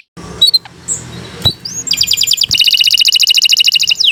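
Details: Canary beginning a long vigorous song for use as a training master: a few scattered chips and whistles, then a loud rapid rattling trill that runs continuously to the end.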